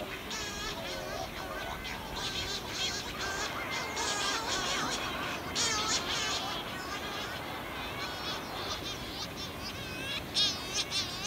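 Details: Cory's shearwaters at a dense breeding colony on Pico Island, 2019. Mated birds return at night from fishing at sea to swap turns sitting on the single egg. Females give lower droning calls, males higher plaintive ones. Many overlapping wavering, wailing harmonic calls form a continuous chorus with background hiss.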